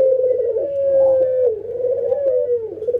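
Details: Ringneck doves in routine training, a white albino bird against a local one, nodding and laughing: a sustained mid-pitched coo that wavers and dips slightly, rolling on without a break.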